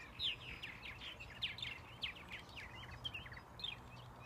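Purple martins give rapid gurgling, chirping song notes, many overlapping short rising and falling phrases, over a steady hiss of background noise.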